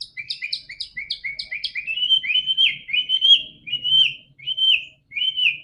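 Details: White-rumped shama song for prompting a silent bird: about eight quick, evenly spaced chip notes, then a loud run of slurred whistles and separate whistled phrases.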